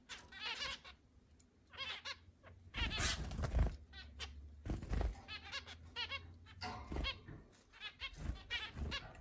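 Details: Eight zebra finches kept in a large indoor cage, recorded 10 July 2022: a stream of short nasal, harmonic honking notes from several birds, overlapping in bursts, with low thumps and rustling in the room.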